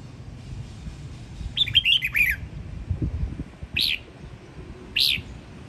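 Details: Red-whiskered bulbul (Pycnonotus jocosus) from the Sông Kon area, Quảng Nam, Vietnam, singing a quick, bright warbled phrase of several notes, then two separate clear whistles a second apart, over a low background rumble.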